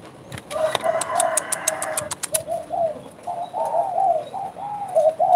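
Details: Spotted dove singing actively in bekur style: a rapid run of sharp clicks and rattling first, then soft rounded coos rising and falling in close succession.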